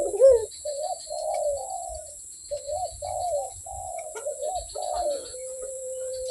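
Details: Barbary dove giving a broken series of soft, quavering coo phrases, each under a second, ending in a long flat held tone. The background stays quiet apart from a faint hum.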